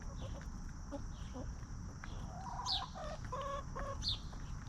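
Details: Free-range hens scratching and eating treats in a farm yard give a few quick clucks followed by a run of short repeated clucks, with small high chirps over low rumble.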